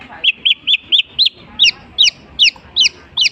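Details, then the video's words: Long-tailed shrike mimicking other species: a string of bright, arched whistled chirps, the later ones rising higher and more sharply inflected, delivered at an uneven steady rhythm. "unik nya burung cendet bisa menirukan jenis burung apapun"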